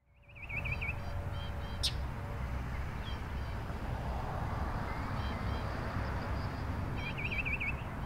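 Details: A Northern mockingbird perched in a yaupon tree in Memorial Park, Houston, Texas, calls out, apparently annoyed by other birds singing, with a quick wavering, warbled trill twice over a steady low traffic-like rumble.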